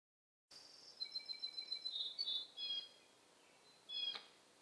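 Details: Hungry young blue jay begging: a rapid series of thin high tonal notes, about two per second, some overlapping, followed by a brief louder burst after a pause, with faint background hiss.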